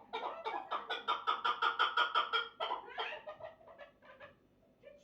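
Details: Even, rhythmic chucking from a chukar partridge, strong at first, then breaking into looser, softer clucks that trail off toward the end.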